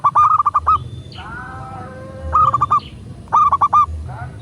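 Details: Local zebra dove in full song, a recording used to prompt other doves to sing and respond: three rapid stuttering coo phrases of clipped mid-pitched notes ending in a roll, separated by a drawn-out nasal harmonic call, over low rumbling background.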